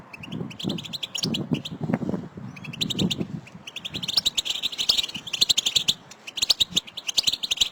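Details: Several goldfinches calling together to stimulate a caged male to sing and breed: high, clipped chirps and twitters in quick runs, over a lower muffled rumbling sound early on, then the chattering grows denser and louder.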